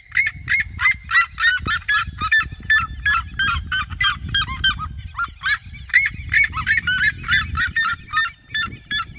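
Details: Several red-legged seriemas, a flock in open fields surrounding the recordist, sing together in loud, yelping, barking notes, about three a second, overlapping in a noisy chorus over low rumbling background noise.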